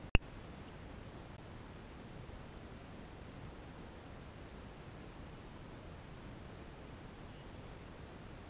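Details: Near silence with soft background hiss, broken only by one sharp click at the very start.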